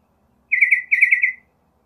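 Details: Northern mockingbird gives two quick runs of rolling, slightly descending warbled notes, nearly joined together, against a very quiet background.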